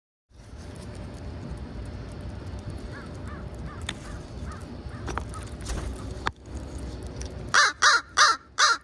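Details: Pre-roost crows gathering at a schoolyard near sunset, a bold group following a familiar person for food; a low rumbling backdrop with faint calls gives way to four loud, harsh caws in quick succession at the end.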